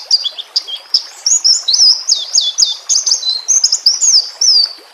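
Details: A White-rumped shama song recorded with nature sounds for training young birds. It is a continuous, varied stream of high whistles, swoops and chirps in rapid succession, with a quiet watery background.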